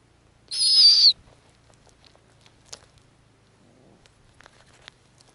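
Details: Snowy owl nest where the female feeds young in small pieces. A single short, harsh, high squeal near the start, then quiet ticking and light rustling with a faint low hum.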